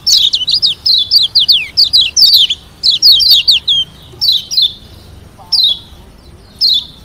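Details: A Lombok yellow white-eye, kept to provoke rivals into answering, pours out rapid, high twittering phrases of sweet slurred notes, bursts broken by short pauses, with faint background hiss.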